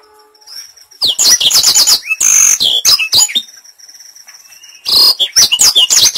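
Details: Training-lure recording of a black-throated canary: two bursts of rapid, high, chattering trills and buzzy sweeps, with a rasping middle phrase, separated by a quieter gap where a thin steady tone persists.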